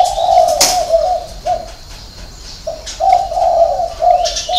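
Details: A six-note hậu 3 coo from a spotted dove: a run of soft, deep, hollow notes, a pause, then another cooing series. Occasional sharp clicks and faint high chirps are in the background.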